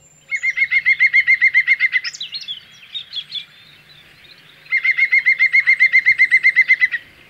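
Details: A European green woodpecker in France gives two loud, rapid laughing series of ringing notes, each about two seconds long, with brief chirps from another bird in the pause.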